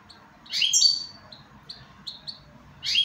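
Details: Goldfinch giving a brief, bright, high twittering phrase, then several short isolated chirps and a fresh burst at the end, against quiet low background noise.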